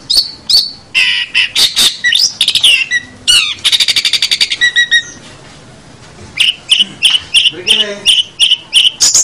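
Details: Long-tailed shrike song for training other songbirds: jumbled whistles and harsh squeaks, a rapid buzzy rattle of closely packed notes, a short quiet gap, then a series of repeated shrill chips.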